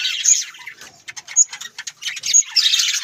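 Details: Budgerigars, Australian parrots kept as pets in a village, producing bursts of high twittering chatter broken by sharp squeaky chirps and short pauses, building into dense warbling toward the end.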